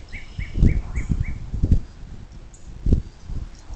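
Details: Morning at a bald eagle nest near South Lebanon, Ohio, USA, on 26 April 2024: five quick high piping notes open the clip, followed by heavy low thuds and rustling at the nest.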